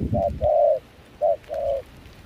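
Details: Two brief phrases from a wild-caught Spotted dove used to lure doves in Kon Tum, Vietnam, amid rain and cold wind; each is a short hoot followed by a longer, smooth, slightly falling coo.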